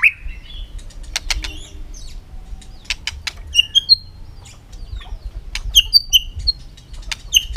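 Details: White-rumped shama singing in a contest in the afternoon sun, flicking its tail on the perch; short clear whistled notes near high pitch scattered between sharp dry clicks, with pauses between phrases.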